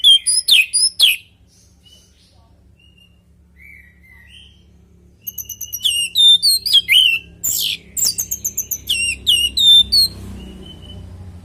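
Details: Anis merah, the orange-headed thrush, in lively natural song used as a lure so other thrushes reply: sharp whistled sweeps, a pause with soft notes, then a rapid run of rising and falling chirps, over a faint low hum.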